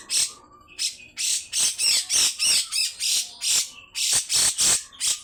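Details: Coarse, long rasping song of a grey-cheeked bulbul, used to get other birds singing. Loud harsh bursts repeat at a steady pace of about three per second, with faint thin whistles in the gaps.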